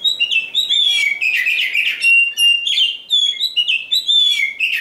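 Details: Oriental magpie-robin of the black form sings continuously: rich varied whistles, slurred downward notes and bright high phrases, changing pattern every second or so.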